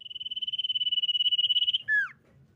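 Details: Common iora lure song: a steady, high, fast-pulsed trill of nearly two seconds that ends in a clear descending whistle, then quiet with a faint low background murmur.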